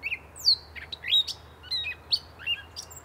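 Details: Gray catbird singing a jumbled run of short varied phrases: high whistled sweeps, squeaky slurred notes and quick scratchy chips, tumbling about two per second with brief gaps, in quiet surroundings.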